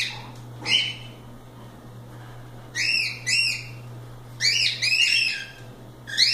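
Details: Cockatiels left free to play call with a single short note, a pause, then paired arched whistled chirps and a busier cluster of three, ending on one more call, backed by a steady low hum.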